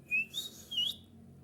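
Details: Lure song of the golden kutilang bulbul, sung to make rival bulbuls reply: two clear whistled notes, the second dipping and rising, over a soft hiss.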